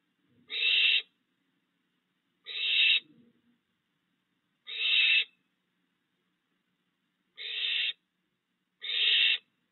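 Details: Night in a backyard with a barn owl pair and three fledged owlets, the male still delivering food, June 2022. Five rough hissing screeches, each about half a second, come at uneven gaps of one to three seconds.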